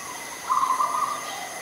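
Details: Adult zebra dove recorded in Ubon Ratchathani, Thailand, on 21 September 2022: one short run of quick, stuttering coo notes, fairly low and even in pitch, against steady faint hiss.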